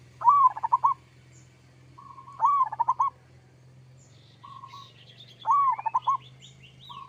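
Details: Kerot-style song of a local zebra dove, played to make other doves reply: three phrases roughly every two to three seconds, each a soft flat coo, then an arching whistle and rapid stuttering notes, with faint chirps of other birds.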